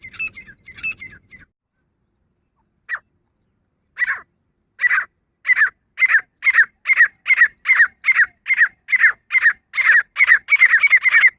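A female grey francolin gives harsh, clipped notes that speed into a steady run, about two or three a second, with a few scratchy sounds at the start.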